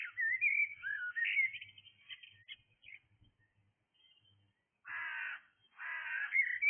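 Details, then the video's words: Blackbird singing in the early morning: mellow fluted whistled phrases with rising and falling notes over the first three seconds, a quiet pause, then two loud harsh cawing bursts from another bird near the end. "Blackbird singing"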